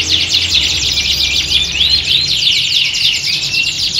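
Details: A chorus of canaries recorded for singing-competition training; bright, high, rapid trilling and chirping from several birds at once, with clear looping whistled sweeps in the middle, continuous to the end.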